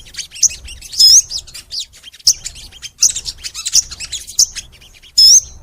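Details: Crimson sunbird (sogon) singing vigorously. Loud, high, upward-slurred whistles stand out among scattered short chirps and buzzy notes, repeated in uneven phrases.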